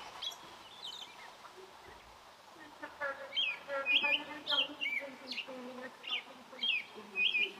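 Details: American robin song, a run of quick whistled caroling phrases that begins after a few seconds, with lower murmuring sounds and faint voices underneath.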